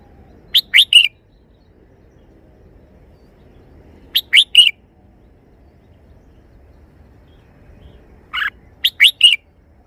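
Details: Caged red-whiskered bulbul singing its three-syllable song style, three crisp whistled phrases about four seconds apart; the final phrase has a softer lead-in note before the three quick syllables, over a quiet background.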